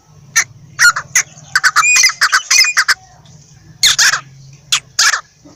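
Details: Partridge calling: a run of harsh, broadband, scratchy notes in quick bursts, then a pause and a second burst near the end, over a low steady hum.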